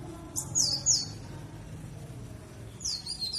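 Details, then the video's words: Short bursts of high, thin, sliding chirps from a dakun-type warbling white-eye, Bondowoso, East Java, used as a lure to prompt birds to sing, separated by a quiet gap with low background hum. "Pancingan Pleci Dakun Jatim Bondowoso supaya ikut bunyi"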